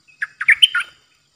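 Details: Streak-eared bulbul used as a decoy bird, recorded 06/05/2022, giving a single brisk phrase of four or five quick chirpy, bubbling notes that rise and fall, clear and close with a quiet background.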